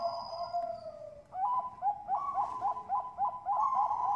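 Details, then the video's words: Bangkok zebra dove, farm-bred in Bekasi, West Java, Indonesia, in a lure recording meant to make other doves sing: a fading drawn-out coo, then a rapid run of short, hooked, rising cooing notes repeated about three times a second. "Pancingan perkutut bangkok gacor ampuh"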